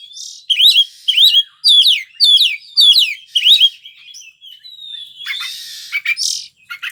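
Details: Oriental magpie-robin in full song: about seven loud, high, sharply whistled phrases, each with rising and falling slurs, repeated roughly every half second, followed by softer, scratchy, buzzy notes.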